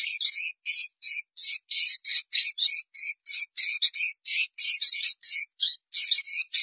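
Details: Swiftlets calling for swiftlet farming: clipped, shrill chirps delivered in a brisk, fairly even series of about three per second, separated by short silences.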